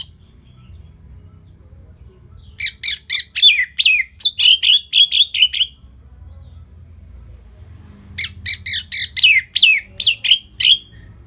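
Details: Orange-headed thrush (anis merah) singing steadily and relaxed, used as a lure to prompt and train other songbirds. Two bursts of rapid, high, chirpy notes are separated by a quiet pause, over a faint low hum.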